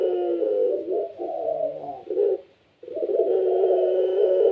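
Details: Kept pelung-type Barbary dove cooing busily to make other doves answer: choppy, gurgling low coos, a short silence near two and a half seconds, then a long, smooth, rolling coo to the end.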